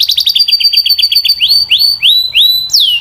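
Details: Clear, strong Belgian canary song: a quick series of repeated chip notes speeding along, then several long rising whistled slurs and a final steep downward sweep.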